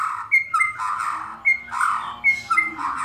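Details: White-rumped shama giving kretekan, rough rattling calls meant to stir another shama into song. Harsh, hoarse notes alternate with quick sharp whistles in a rapid, chattering sequence.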